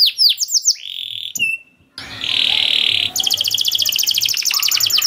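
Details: Canary masteran in the long cuit cuit style for young birds: sweeping notes, a brief gap, a flat buzzy tone, then a fast rattling trill against background noise.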